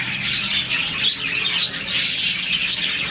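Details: Happy morning chirping from a budgie colony of roughly 40 birds: a busy, unbroken chorus of high twittering notes, with a few louder chirps standing out.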